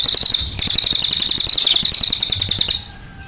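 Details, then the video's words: Energetic singing from an ashy tailorbird (cililin), sharp and clear-toned: a dense, shrill run of quick, high-pitched chirps, roughly four per second, after a brief opening pause, then a faint high note at the end. "cililin gacor suara tajam"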